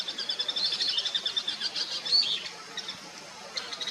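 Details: Bull-headed Shrike calling, a harsh, dense chatter of rapid grating notes running for over two seconds, then fading, with a brief sharp note near the end.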